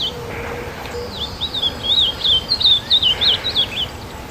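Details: Ultramarine grosbeak (Cyanoloxia brissonii) in Brazil singing a quick run of high, sweet warbled notes that rise and fall for about three seconds, over a soft steady background hiss.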